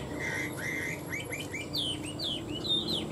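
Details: Pair of Chinese hwamei singing against each other in cages, both tame for three years; somewhat distant, clear slurred whistles and short upward-flicking notes repeat roughly twice a second over steady background hiss.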